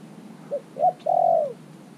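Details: Caged spotted dove of three months, calling wild doves in as a decoy. It gives one phrase: a faint short coo, a louder clipped coo, then a long throaty rolling coo that fades downward.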